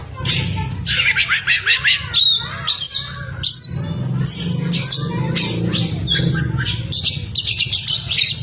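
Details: Tail-spreading Oriental magpie-robin delivering song loaded with lovebird mimicry. Rapid chattering trills and scratchy squawks tumble together, with sharp high chips between, over a low continuous hum.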